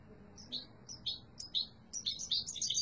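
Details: Yellow mutation European goldfinch giving soft, separate high chirps, roughly two each second, that quicken into a rapid twittering run near the end, over a steady low background hum.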